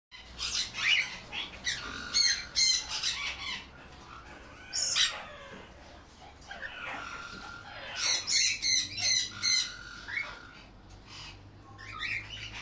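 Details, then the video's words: A Regent parrot (Polytelis anthopeplus) gives harsh, grating, mostly high-pitched squawks in uneven bursts, with brief pauses between clusters of calls. "loro regente . Perico Regente"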